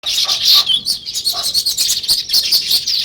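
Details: Sparrows chirping in a natural setting: a dense, continuous chorus of high, sharp chirps and short twittering notes that overlap with no pauses.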